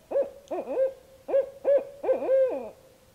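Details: Evening camp recording from north central Kansas: a barred owl pair, apparently courting, trading loud, clipped hoots that swoop up and down, grouped in quick doublets then ending in a longer wavering note.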